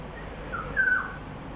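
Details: Black-naped oriole calling in Jurong East, Singapore, around 1 pm on 13 October 2021: a brief soft note, then a clear fluty whistle held level and dipping slightly at the end, over faint background hiss.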